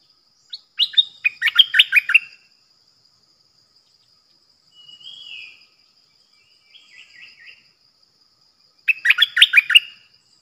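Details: Bulbul kept as a decoy bird, recorded 8 May 2021: two bursts of rapid, jumbled chattering notes open and close the passage, with a soft slurred whistle and a brief stuttering trill between, over a steady thin high tone.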